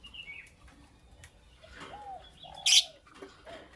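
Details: Creamino and Lutino Opaline lovebirds in the morning: soft arched whistles lead into a single loud, harsh broadband chirp, then faint clicks.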